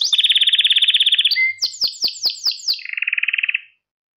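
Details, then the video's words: Canary song intended for training young canaries: a loud rapid buzzy trill, a brief whistle, six descending sweeps and a rolling trill that ends abruptly in silence. "Süper Kanarya Sesi | Orjinal Kanarya Sesi İle Kuşunuzun Ötüş Eğitimi"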